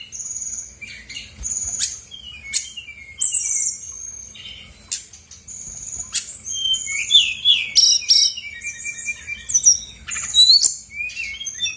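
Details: Lively, varied song of a female brown-chested jungle flycatcher, played to provoke silent birds into answering: long steady high whistles, falling slurs and rapid chirpy clusters following one another with little pause.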